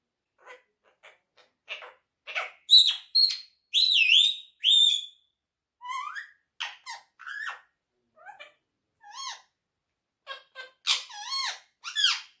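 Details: Talking quaker parrot (monk parakeet) speaking: a run of varied short squeaks and chatter, then clear rising and falling whistled notes and harmonic speech-like syllables, with brief pauses between bursts.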